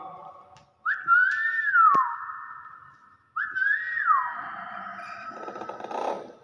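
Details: A common hill myna imitating speech, likely saying "wow", gives two clear whistled notes about two seconds apart. Each leaps up sharply, glides level and then slides down. A click, room noise and soft rumbling come between and after.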